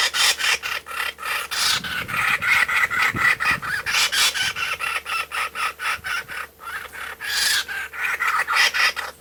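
A kookaburra gives a harsh, rasping run of rapid chuckling notes, about four or five a second, rising and falling in rolling bursts.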